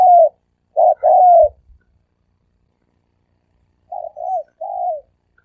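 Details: Three-coo dove calling, used to lure doves: loud clipped notes and a long falling coo, a silent gap, then a quieter pair of low coos.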